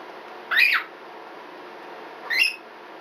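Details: Twelve-year-old female red-bellied parrot, a pet, giving the species' characteristic smoke-alarm-like scream. Two harsh, rasping screeches, each arched in pitch and under half a second long, come about two seconds apart over a steady indoor hiss.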